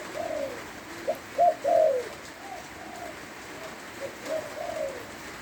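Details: {'caption': 'Spotted dove from Lopburi, Thailand, cooing during rain: a loud run of three husky coos, the last drawn out and falling, followed by quieter echoing coo phrases against constant rain noise.'}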